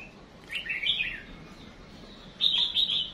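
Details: Songbird female serving as a decoy to prompt males to sing. It gives a warbling twitter of high notes early on, then a louder, denser burst of sharp high chirps in the last second.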